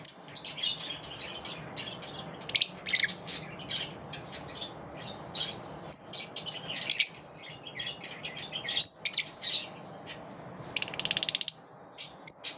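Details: Lovebirds chirping in the morning: busy overlapping high squeaks, chirps and short trills from several birds, with occasional harsher squawks and soft background noise.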